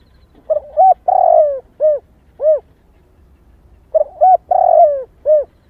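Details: Female spotted dove calling to excite males: two phrases of low, hollow coos, each a quick pair of short notes, then a longer drawn-out coo falling in pitch and a final clipped note, with a pause of about two seconds between phrases.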